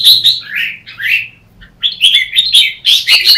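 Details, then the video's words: Red-whiskered bulbul in competitive morning song, used as lure calls for training: lilting whistled phrases that swoop down then up, a pause, then a fast string of clear, emphatic chirping whistles. "Chào mào Luyện hót đấu mỗi sáng 30' - Căng lửa hót hay"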